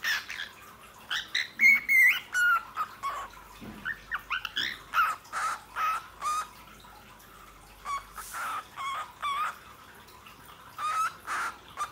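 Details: An Australian lutino cockatiel whistles the Indian patriotic tune "Sare Jahan Se Acha" in clear, warbling phrases broken by short chirps.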